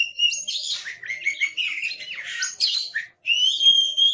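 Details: Loud, fast song of an aggressive Oriental magpie-robin: tumbling slurred whistles and chattering notes run together, a short pause, then a long clear rising whistle.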